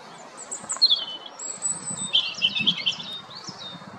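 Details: European robin singing outdoors, thin high whistled phrases with quick trills and sliding notes, delivered in short bursts separated by brief pauses against faint low background rumble.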